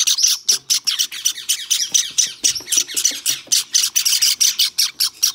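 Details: A hand-tame white Java sparrow chick squawks in harsh, high bursts, roughly three or four each second, recorded 23 May 2021; faint low thumps sound underneath.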